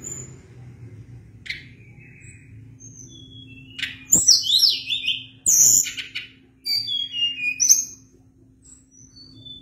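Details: Sunda blue robin singing actively with long rolling phrases: scattered thin high whistles, then bursts of rapid, tangled high notes sweeping down, separated by short pauses; a low steady hum underneath.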